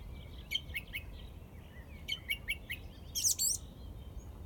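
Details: Song thrush in Izmailovo delivering a crisp phrase of sharp, quickly repeated notes, then repeating the same phrase two seconds later, followed by a shrill squeaky flourish; a soft low hum persists beneath.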